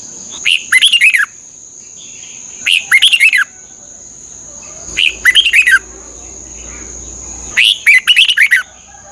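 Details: Red-whiskered bulbul in Thailand, song played to train caged birds; four lively phrases of quick tumbling whistles, each led by a short note, about every two and a half seconds, with a steady high whine behind.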